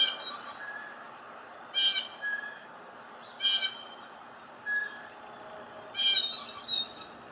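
Blue jay giving three harsh, raspy calls about two seconds apart, over a steady high hum of insects and faint chirps from other birds.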